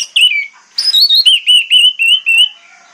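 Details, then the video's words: Orange-headed thrush giving a morning lure song to make other thrushes answer: a brief scratchy note, then a steady series of about eight clear wavering whistles, roughly four per second, ending softly. "PANCINGAN ANIS MERAH PAGI HARI|| ANIS MERAH LAIN AUTO NYAUT"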